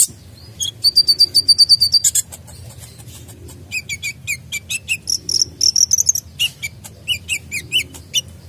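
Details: A sunbird (kolibri), a recording used as a master or lure song, sings very high, thin notes: a fast buzzy trill, then bursts of sharp, sweeping chips and twitters in quick succession.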